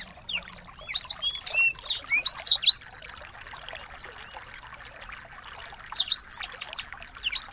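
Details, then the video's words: Small birds used as tutor song for a white-rumped shama deliver loud, fast, sweeping whistles, fall quiet for roughly three seconds with faint background hiss, then resume with rapid high chirps. "masteran burung kecil agar murai batu gacor"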